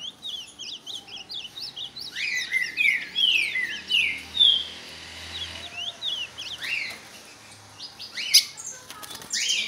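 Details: Ultramarine grosbeak singing in a show against another bird, giving repeated loud, slurred whistles that sweep down and up through the middle seconds, amid quick high chirps of other birds.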